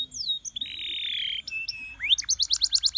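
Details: Canary song for training young canaries: a long steady whistled note near the middle, slurred upward sweeps, then a fast series of repeated bright chirps at the end.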